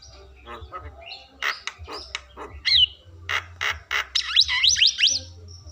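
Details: Javan myna (jalak kebo), a bird said to talk and say "kopi", giving a burst of harsh squawks and clicks followed by quick rising and falling whistled notes, with a low hum underneath.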